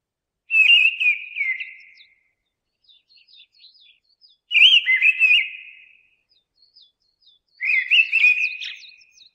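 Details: Three rich whistled phrases from a mistle thrush, spaced about three seconds apart, each with fast warbling turns fading into a held note, and thin high squeaky notes in the pauses.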